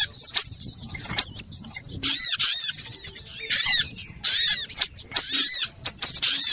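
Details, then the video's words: Little spiderhunters give a busy stream of sharp, very high chips and arching squeaky notes that overlap almost without pause. "Suara pikat burung sogok ontong ribut"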